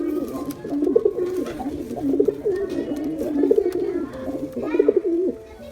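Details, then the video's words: Repeated burbling coos from a pair of pigeons, male and female, each phrase swelling and dropping, roughly one every second or so. "Male & Female Pigeon Combo Attract Sound"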